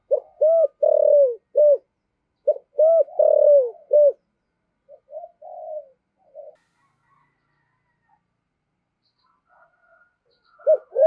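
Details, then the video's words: A spotted dove, a deep-voiced decoy bird that coos quickly, gives two phrases of low, hoarse, arched coos in quick sets of three or four, then softer, broken notes and one more coo. "Chim Cu Mồi/ cu gay giong tho cuc dinh"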